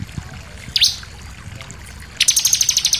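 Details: Sunda pied fantail song with variations for tutoring captive birds: one sharp dropping note, then after a pause a fast high rattling trill.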